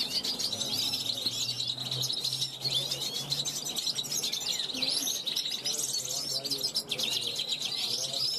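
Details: European goldfinch hatched in 2021 calling from a balcony to passing wild goldfinches; an unbroken, high, jingling twitter of rapid chirps and trills, with a faint low hum underneath.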